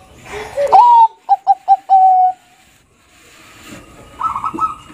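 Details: Zebra dove of the Bangkok type, song played to get stressed birds singing: a rising opening coo, three short clipped notes, then one long steady note, followed by quiet and faint background sounds.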